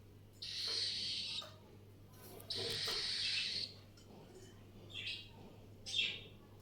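A cockatiel gives harsh, hissing begging calls in long raspy bursts, asking for food.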